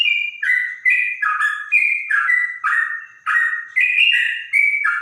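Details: Clear, bulbul-like song of a bonang trotok: a lively series of fluty two-part whistles, each starting high and stepping down, repeated in quick bursts.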